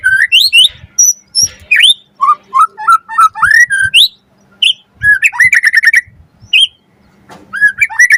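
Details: White-rumped shama song played as a lure to get other birds singing: a long varied sequence of fluty whistles, sliding notes and rapid chattering runs with short pauses.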